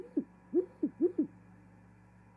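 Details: Great horned owl activity at an osprey nest in Charlo, Montana, January 2021, female arriving and mating; five short, quieter hoots in a quick uneven series against a faint background hiss.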